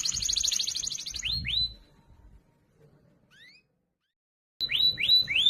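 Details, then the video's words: Canary tutor song for training other canaries, loud and clear: a fast high trill for over a second, then rising swept notes, a pause of near silence, and three more upward-sweeping whistles. "Masteran Burung Kenari Suara Lantang Dan Jernih"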